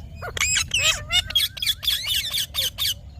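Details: Indian ringneck parakeet kept as a pet, giving rapid shrill squawks roughly four per second, harsh and high-pitched, with one smooth whistle in the middle.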